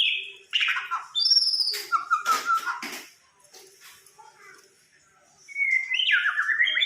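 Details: White-rumped shama, a fighter bird, from Samarinda: descending whistled phrases, then loud clattering, rattling noises in the middle and a quiet gap before the bird resumes with rising, slurred whistles.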